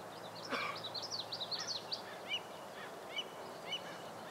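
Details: American avocet chick, recorded in 2011: a quick run of thin, high, downslurred peeps crowded into the first two seconds, then single sharper chirps spaced about half a second apart, over a steady outdoor hiss with one brief knock early on.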